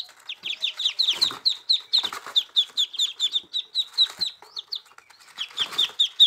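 Muscovy ducklings peep in high, thin notes, about two per second, overlapping in a steady chorus; occasional soft rustling and low bumps underneath.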